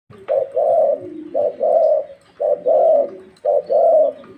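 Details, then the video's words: Thai-style spotted dove, a captive bird kept for song training, giving a low mellow coo phrase: a short note followed by a longer rolling purr, repeated three times about once a second. "Tiếng chim CU GÁY THÁI VÂN RỒNG cực xung"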